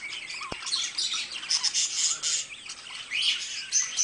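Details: Pair of pet budgerigars giving busy, buzzy warbling chatter, a continuous stream of quick chirps with a few clear whistled notes and one sharp click early on.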